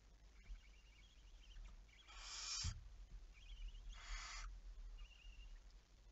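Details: Barn owl recorded late on the night of 11 May 2019: two broad hissing screeches roughly two seconds apart, with faint high chirping notes from another bird scattered around them and low rumble beneath.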